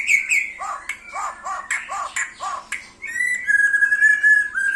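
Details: White-rumped shama song aimed at challenging a rival: a run of rich, downslurred whistled notes with overtones, followed by a long, steady, high whistle with thin high tones above.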